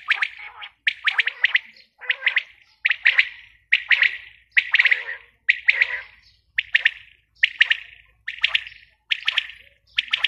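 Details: A female quail repeats a gritty, chattering burst about every 0.8 seconds against a quiet background.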